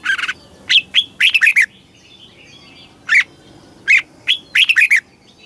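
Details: Southern-style Red-whiskered bulbul song from Thailand for stimulating caged birds and teaching chicks: a short chirp burst, a quick run of lilting notes, then scattered single chirps leading into another bubbling phrase.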